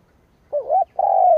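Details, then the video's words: Decoy spotted dove cooing to stir up rivals: one wavering, dipping coo followed by a long, steady, slightly falling coo. "Cu mồi gáy gù / Tiếng chim cu mồi kích bổi / Cu mồi gáy bổi nghe hăng máu"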